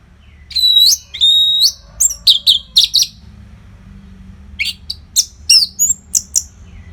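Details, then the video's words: Orange-headed thrush singing a nonstop tutor song for fighter birds, mixing long buzzy high whistles with rapid sharp chipping notes, a short pause, then another run of varied whistles. "SUARA MASTERAN ANIS MERAH GACOR RAPET NO JEDA"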